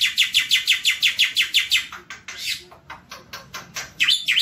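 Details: Non-stop tutor song of a black-winged starling: a steady series of about ten sharp, repeated chip notes, then softer scratchy chatter and a final loud slurred note.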